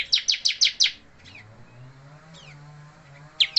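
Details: Rapid run of five sharp, high chirps from a moulting, balding bar-winged prinia that keeps singing hard, followed by a pause with faint thin notes, then a fresh burst begins.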